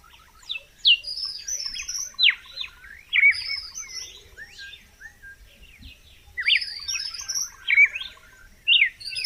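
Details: Rich whistled phrases of a red-cowled cardinal, rapid sweeping notes in bursts with brief gaps, over a calm background.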